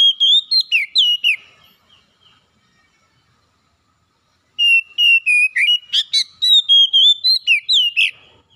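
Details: Lure song of an oriental magpie-robin meant to get a lazy bird singing: rapid clear whistles sliding downward, then about three seconds of silence, followed by a longer varied phrase of whistled notes with scratchy bursts mixed in.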